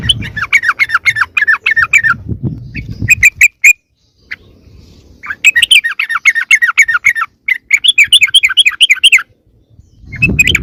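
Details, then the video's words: Sooty-headed bulbul lure call that draws other wild bulbuls near: long runs of fast, bubbly chirps at about four per second, broken by short pauses and isolated notes, with low rumbling noise at start and end. "SUARA PIKAT BURUNG TRUCUKAN YANG LAIN AUTO MENDEKAT"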